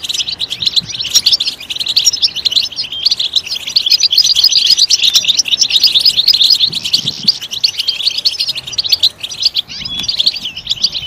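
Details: A long, loud run of European goldfinch song meant to stimulate singing, made of rapid, bright chirps and buzzy trills that keep a busy, even flow.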